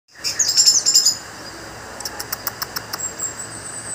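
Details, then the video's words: Kept orange-headed thrush from Banjarnegara, in a song state described as "teler": a short burst of high, sharp chattering notes, then a quick series of high clicky ticks, over steady background hiss. "Anis merah "Broto" teler"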